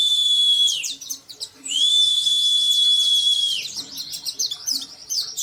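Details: Oriental white-eye singing insistently with open beak: two long, level, high whistles overlaid with thin twittering, ending in a jumble of rapid high chirps.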